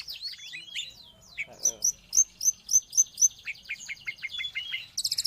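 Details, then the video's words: Cendet or pentet, the long-tailed shrike, in song meant to train pet birds or lure wild ones: mixed twittering, then a steady series of bright, sharp notes about four a second, ending in a rasping burst. "Suara burung Cendet / pentet"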